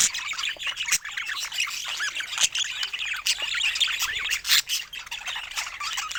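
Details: Pet budgies chatter in a crowded chorus: high twittering, squawks and warbled chirps from many birds overlapping, with repeated sharp clicking sounds through the clip.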